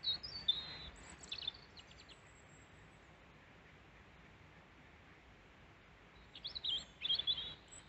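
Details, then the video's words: European robin singing to its observer in Peasholm Glen, Scarborough, UK, after landing on the hand six times to take seed: two short bursts of high, thin, liquid warbling separated by about four seconds of quiet, over soft hiss. "Robin singing to me"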